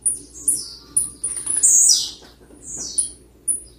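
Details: Blue-black grassquit song meant to provoke other birds and for song training. Sharp, very high notes repeat about every half second around a bright buzzy downward sweep, against a quiet background.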